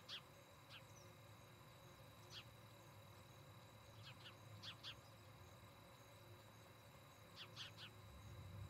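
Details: Osprey at a nest near Charlo, Montana, recorded by a nest cam on the evening of 17 August 2018: short, high, piercing chirps, mostly in pairs, repeated every second or two across about eight seconds, with a constant low humming background.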